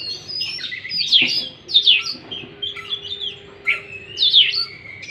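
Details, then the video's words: Oriental magpie-robin singing, played to coax a stressed bird back into song; loud slurred whistles and sharp chirps in separated phrases, with a faint steady tone in the background. "pancingan kacer stres macet bunyi"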